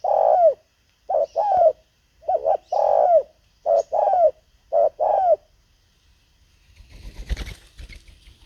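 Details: Spotted dove kept as a decoy for luring wild birds, repeating mellow coo phrases about once a second, followed by a burst of rustling noise near the end.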